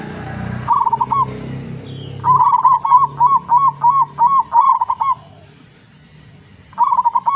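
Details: Zebra dove of the Lurah type, a wild-caught local decoy bird from Tuban, East Java, in full song: burbling, rolling coo phrases repeated rapidly in a long run, with a low hum early on and faint chirps.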